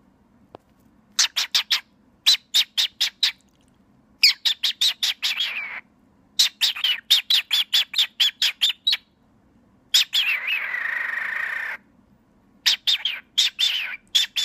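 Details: A male cockatiel happily playing with his reflection on an iPhone gives rapid bursts of bright, sharp chirps mixed with longer warbling, slurred notes.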